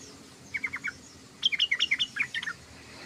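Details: Sooty-headed bulbul chattering (ngoceh): two quick runs of clipped, bright chirps, a short four-note group followed by a longer tumbling series of about a dozen notes, against a quiet background.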